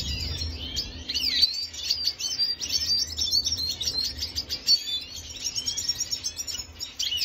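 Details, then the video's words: Red siskin of Venezuela singing on 25 June 2022: a long, lively run of dense buzzy trills and high twittered notes, briefly pausing near the start before continuing energetically. "خوێندنی سیسکنی سوری فەنزوێلی"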